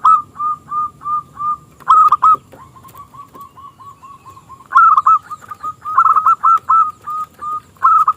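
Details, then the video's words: A local zebra dove with a small, crystalline voice sings to lure rivals into singing, pouring out long strings of short staccato coos broken by louder rolled coo bursts, over about eight seconds. "Perkutut Lokal Gacor suara KECIL Kristal AHLINYA untuk pancingan perkutut lawan MANGGUNG"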